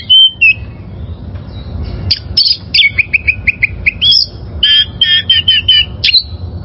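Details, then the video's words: Wild oriental magpie-robin singing, used to train caged birds: a long clear whistle, then quick repeated short notes and fluty slurred phrases, lively and varied, with a steady low hum behind. "Masteran Suara Burung Kacer Liyar...!!!"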